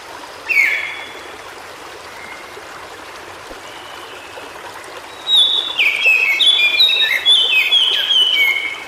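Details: Song of a white-browed shortwing in natural habitat. A single sharp note is followed by a pause, then a fast, jumbled burst of high whistles rising and falling for about four seconds over a steady rushing background.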